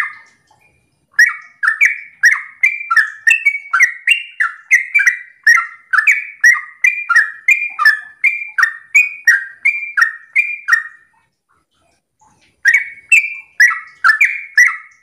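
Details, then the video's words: Sooty-headed bulbul singing in the morning, used as a lure to get other bulbuls to answer; a long run of short, bubbly whistled notes near two kilohertz, repeated about twice a second, a pause, then the phrase resumes. "Pancingan trucukan gacor ropel pagi hari trucukmu pasti langsung nyaut"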